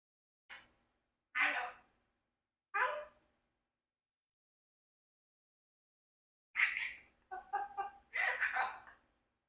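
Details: Congo African grey parrot, a 4-year-old adopted pet living with a flock, talking in greeting: three short separate speech-like syllables, a pause, then a longer run of quick voiced words and bursts.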